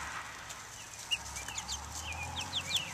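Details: Buff Orpington, Black Australorp and Ameraucana chicks taking the air outdoors, 2010; a few shrill descending peeps, sharper toward the end, over low background rumble.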